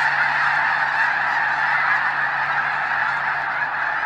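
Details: A large flock of snow geese at the Hayton Snow Goose Reserve near Conway, Washington gives a dense, continuous chorus of overlapping high, nasal honks and yelps, with a faint low hum beneath.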